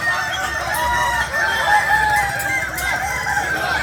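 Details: A chorus of Kukuak Balenggek chickens, native to Solok in West Sumatra, giving long steady crows that stack over one another, forming a sustained, ringing wall of rooster voices.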